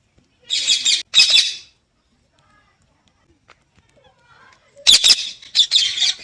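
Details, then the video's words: A parrot gives harsh, high squawking bursts, two at the start and a quick cluster near the end, separated by a long silent gap. "parrot sounds/parrot talking"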